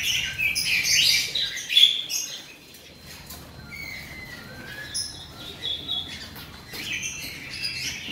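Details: Loud high twittering from a male robin at first, then quieter scattered whistled notes and short chirps separated by gaps.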